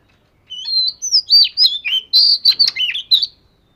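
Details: Oriental magpie-robin, fish-scale type, singing for daily voice practice: a rapid series of about ten bright, varied whistles, some drawn out, others short and sharply modulated.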